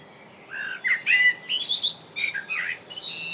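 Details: A blackbird sings in England, a rich, low warbled phrase breaking into scratchy, high squeaks and chattering twitters, several short bursts in quick succession, clear and close.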